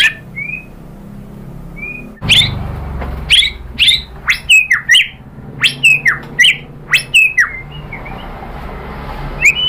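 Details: White-rumped shama singing a lure meant to stir other birds: two soft whistles, then a burst of loud sharp chips and short upslurred whistles in clusters, ending with faint high notes.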